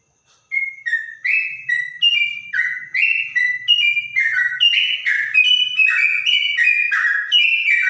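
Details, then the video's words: After a brief silence a trotok begins clear whistled song likened to a straw-headed bulbul, notes building into a quick alternating high-low sequence, about two per second. "Burung trotok bonang suara bening rasa cucak rowo"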